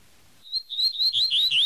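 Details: Double-collared seedeater giving its tui tui song: a steady high whistle breaking into a rapid series of rising slurred notes that grow louder.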